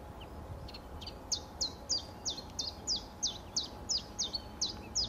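A common chiffchaff sings a steady run of bright, high notes, about three a second, chiff-chaff-chiff, over a low rumble of distant background noise.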